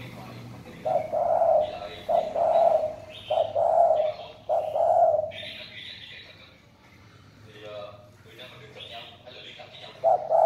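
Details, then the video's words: Spotted dove, a caged bird being sold, cooing in a series of low, hollow phrases around the lower pitch range, several notes in quick succession, then a pause with fainter higher chirps from other birds before the cooing resumes. "cu gáy"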